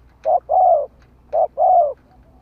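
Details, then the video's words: Spotted dove acting as a decoy, cooing twice: each phrase a quick note then a sustained, slightly falling coo, in a quiet setting. "Tiếng chim cu mồi gù gáy/ chim cu gáy kích bổi nhanh nổi"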